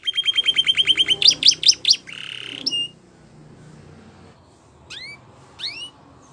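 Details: Wild canary song for training young canaries: a quick repeated trill speeds into louder chopped notes, then a short buzzy rattle and a single bright note, followed by quiet background with two faint upward-sweeping whistles.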